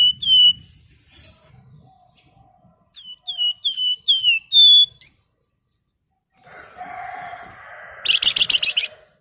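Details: Flamboyan, a female calling a male in gacor ngebren or nyiul style: a series of short, high whistled notes that slide up and down, spaced about half a second apart, then a noisy stretch and a sharp rapid chirping burst at the close.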